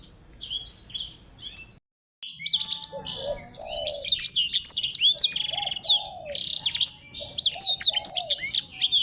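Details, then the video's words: Black-throated canary singing a rapid, jumbled song of high twittering slurs, chirps and lower warbled notes, in a singing contest against a Javan munia-type finch (glatik belong). "BLACKTHROAT VS BURUNG GLATIK BELONG"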